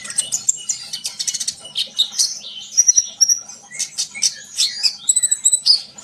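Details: Energetic sunbird song meant to make other birds sing too: a rapid stuttering burst of high clicks, then varied chirps, short whistles and twittered phrases with small gaps.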